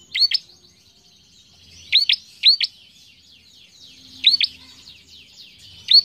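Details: Bar-winged prinia singing loudly as a lure to train young cage birds: sharp paired upswept notes in short bursts, repeated at uneven intervals, over faint rapid chattering of other birds.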